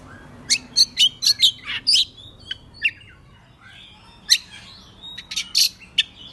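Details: Morning song of an Oriental magpie-robin, used as a lure to excite other birds. Rapid series of crisp, high whistled notes, a short pause with scattered chips, then another burst of sharp, clipped notes.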